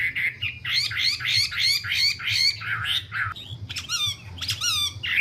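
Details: Wambi giving rapid, rough, buzzy notes in a dense chattering run, followed by a pause and a few sharp harsh bursts, over a low hum.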